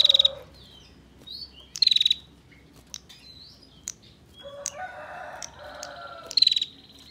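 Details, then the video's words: Tight ngebren ngetir song of a female bar-winged prinia, a master recording for training songbirds, with rapid high-pitched trilled bursts recurring about every two seconds and harsh buzzy rattles in between. "Burung Prenjak Betina Ngebren Rapat, Masteran Paling Disukai Juri Senasional"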